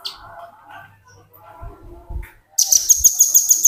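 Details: Velvet-fronted nuthatch, red-billed, singing in the continuous ngebren style and used as a tutor recording for training other birds. Quiet low rustles and faint scraps come first. Then a loud, sharp, very high trill of rapidly repeated notes fills the last second.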